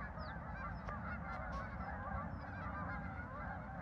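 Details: Short burst of a goose flock honking together at a farm park, 10 November 2024, overlapping calls with a couple of sharp clicks and low rumble.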